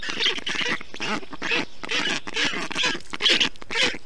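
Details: Young black storks in a nest in Estonia, June 2021, calling during heat while the male cools them; distinct harsh, quack-like notes in clear bursts roughly twice per second, rising slightly in loudness toward the end.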